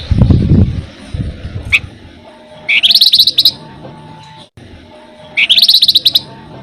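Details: Flamboyan, described as lively and tireless at rolling trills: two separate bursts of fast, high, metallic notes, each about a second long, after some low rustling at the start.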